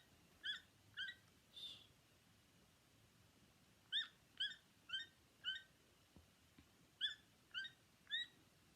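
A toucan gives short, croaking, nasal notes about half a second apart, in loose groups of three or four separated by brief pauses.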